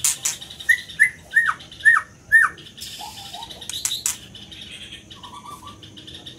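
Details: Scarlet minivet song: five clear, whistled, down-slurred notes, about two per second, then a couple of lower, softer notes and a short buzzy trill, with clicks and rustling.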